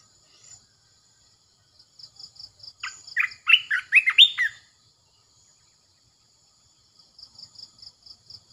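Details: Red-eyed bulbul decoy song: a single short, bubbly phrase of loud gurgling whistles in the middle, framed by rapid high insect-like pulses before and after.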